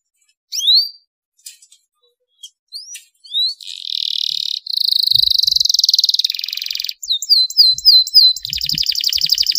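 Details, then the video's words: Canary song meant to prompt other canaries to sing: scattered sharp upslurred chirps with gaps at first, building into dense buzzy trills and fast repeated hooked whistles. "cuitan kenari untuk merangsang agar gacor dor"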